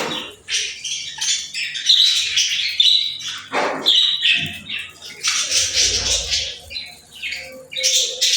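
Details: Playful birds keep up a fast, busy chatter of thin chirps, squeaks and warbled phrases that rise and fall in loudness throughout.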